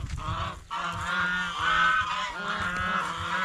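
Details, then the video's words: Geese eating bread and fresh vegetables at a fish pond, calling in continuous overlapping nasal honks with rich harmonics, several birds sounding together with little pause. "เสียงห่านร้อง ห่านกินขนมปังกับผักสดในบ่อปลาอย่างเอร็ดอร่อย | Goose Sound Effects"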